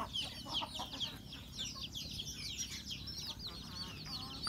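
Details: Feeding rural chickens at breakfast give a few sharp, bright peeps over a steady murmur of many softer, falling high calls and light background hiss.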